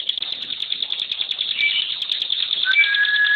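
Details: Bar-winged prinia (ciblek pinus or ciblek gunung), a kept songbird, delivering a very dense rapid-fire "tembakan" song. A continuous, trilling, high buzzy stream of quick repeated notes, with a few clearer whistled notes and short slurred notes in the second half.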